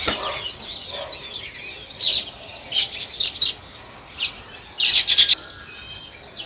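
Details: Sparrows, called weaver birds, chirping in natural surroundings: separate bright, high chirps come in short clusters with gaps between them over a faint background chatter.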